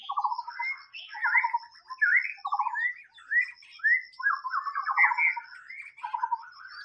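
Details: Wild white-rumped shama delivering varied song. Low buzzy descending notes mix with rising and falling whistled slurs in quick succession, with a faint continuous high tone in the background.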